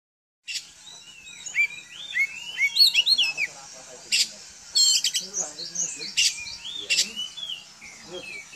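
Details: Home-kept Oriental magpie-robin singing to make other magpie-robins answer: a rich, varied run of whistled slurs and quick chirps, rising and falling notes broken by sharp clicks, with a faint low hum beneath.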